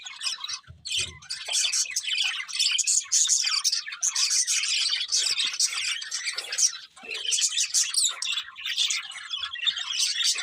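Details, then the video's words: A group of budgies chatters on and on with rapid chirps, buzzy warbles and squeaky notes, briefly quieter near the start and again past the middle, with a soft low bump early on. "Beautiful Budgies Chirping Sounds"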